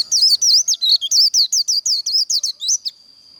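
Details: White-eye singing a contest song meant to spur rival birds: about three seconds of rapid, high, looping warbled notes in quick regular bursts, ending on a brief sustained thin tone.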